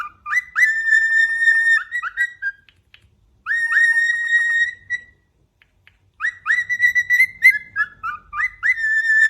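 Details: Cockatiel whistling while sitting atop its cage, a domestic bird delivering three phrases of pure sustained whistles broken by short upward flicks, separated by quiet gaps of about a second; no other sounds.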